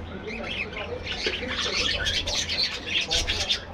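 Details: Budgies in a colony aviary: lively, high scratchy chatter and rapid twittering calls crowding together over a few seconds, with a low hum in the background.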